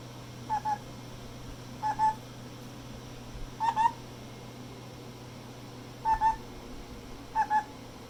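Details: A pet female black-headed caique, hatched 30 November 2018, indoors: five short, mellow two-note calls spaced one to two seconds apart over a low steady hum; white-bellied caique.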